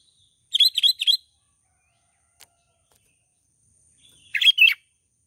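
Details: Sooty-headed bulbul in the morning, calling to wild bulbuls: three quick, bubbly mid-pitched notes, then a short burst of similar chattering notes a few seconds later, in an otherwise quiet setting.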